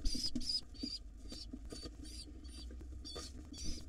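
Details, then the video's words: Wild pigeon nestlings begging excitedly as their father arrives to feed them at breakfast: a rapid series of high, thin, squeaky whistles, some wavering, repeated several times a second over low rustling and thumping. "Pigeon nestlings go crazy when their Dad drops in to feed them."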